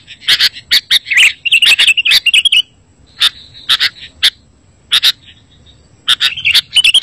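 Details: Sooty-headed bulbul chirping used as a lure for lazy singers, with clusters of sharp high tweets and clicks in fast bursts separated by short silences.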